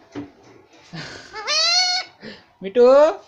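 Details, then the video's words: Indian ringneck parakeet talking, saying words like "Mommy" in a nasal, human-like voice: two drawn-out harmonic syllables rising slightly in pitch, with softer short sounds between them. "Indian ringneck parrot talking everything || Mummy papa talking"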